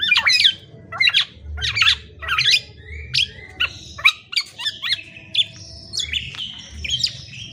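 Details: Black-naped oriole singing in a lively chattering series of short, varied notes. They are harsh squawks mixed with quick whistled slurs, high-pitched, and come in loud bursts about once a second. A low hum runs underneath.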